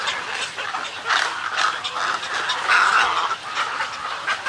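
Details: Colony and greeting calls of snowy egrets: overlapping hoarse, nasal squawks swelling in several loud bursts over a constant murmur of more distant croaking birds.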